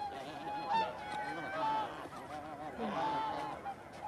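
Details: Taiga bean geese calling at Kabukuri-numa marsh in Japan, 14 December 2019. A continuous chorus of mid-pitched honks from many birds, with clearer individual trumpeting notes standing out about once a second.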